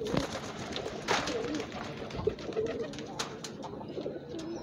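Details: Pigeons heard in low, soft cooing notes, short rounded phrases recurring through the recording against a noisy background with faint clicks and knocks.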